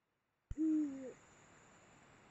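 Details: Deep hoot from a Eurasian eagle-owl at mating time, Mosel region of Germany, end of January 2022. A low, even tone lasts just over half a second and dips at its close, after a short click, with a soft hiss behind.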